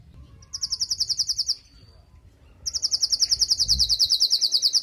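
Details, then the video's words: Female canary calling to stimulate the male after moulting, giving two bursts of very high, fast, even trilling separated by a short pause, with faint low background rumble. "نداء انثى الكناري لتجهيز وتحفيز ذكر الكناري بعد غيار الريش"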